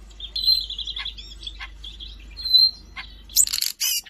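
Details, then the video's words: Siberian rubythroat song from Jakarta, March 2025: a fast rattling trill held steady, then short whistled notes and a burst of harsh, noisy high chatter at the end, over a low background hum. "kicau burung siberian rubythroat gacor"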